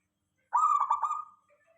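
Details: Local zebra dove song as a calling lure for other doves: one rolling, stuttering coo phrase under a second long, trailing off softly in near silence.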